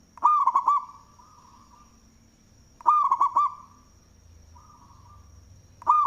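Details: Local zebra dove with a big cooing voice, used as a lure: staccato notes followed by rolling looped coos, phrases recurring about every three seconds, with a faint droning tone between and a steady high whine.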